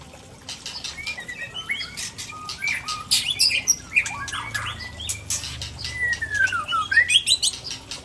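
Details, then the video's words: White-rumped shama from Tangse, Aceh, pouring out rare mimicked fill-in phrases: a varied jumble of sharp whistles, chips and rising and falling slurred notes, with a long descending whistle near the end, fast and irregular. "Murai Aceh SMBF Ori Tangse Sedang Bongkar Isian langka"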